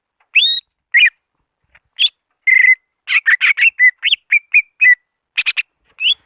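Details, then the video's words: Greater green leafbird lure call aimed at rivals: separate loud whistles, including rising slurs and one steady buzzy note, then a quicker burst of clipped whistled notes. "Suara Asli pikat CUCAG IJO BIG memanggil lawan"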